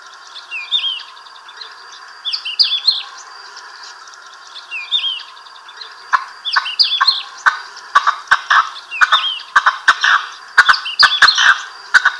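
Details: Four common cranes, apparently including one juvenile, moving and feeding on fallow land on the La Mancha plain near Tablas de Daimiel, Spain, call in bursts of high, thin, hooked whistles every second or two, over a steady lower hum, with sharp clicks and knocks later.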